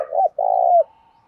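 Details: Decoy spotted dove cooing to lure and provoke wild doves: a short low coo, a brief gap, then a long, even, throaty coo that dips at its end. The recording is otherwise quiet.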